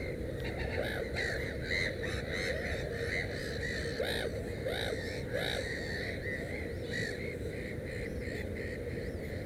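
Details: Black-headed gull near its nest of three chicks calling in a rapid, uneven run of short grating notes, some rising and falling, with a continuous low droning noise underneath.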